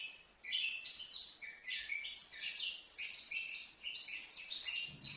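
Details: Five-month-old young European goldfinch from Livno giving a rapid, liquid twitter of bright chirps and slurred notes. One unbroken burst of song lasts about five seconds, ending with a faint low thump.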